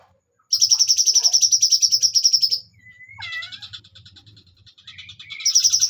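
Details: Bulbul singing a long rapid high trill, followed by looping, sliding whistled notes and quieter chatter, then the fast pulsed trill starting again.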